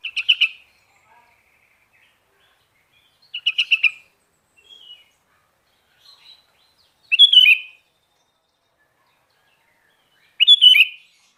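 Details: Kutilang garuda sooty-headed bulbul singing steadily: four short, fluty, chattering phrases delivered every three to four seconds, with brief soft notes in the gaps and nothing else audible.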